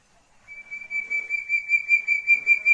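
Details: A young chestnut-bellied partridge from West Java gives a thin, high, steady whistle that throbs quickly in loudness and runs on for over two seconds. Faint background rustle.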